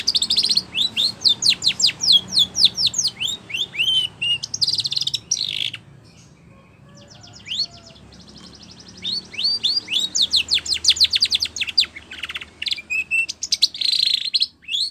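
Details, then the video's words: Training song of a Spanish Timbrado canary, with rapid runs of descending chirps and metallic trilled phrases, a quiet gap of about three seconds midway, then more fast chirping series. "Canary Singing / Spanish Timbrado song For Training"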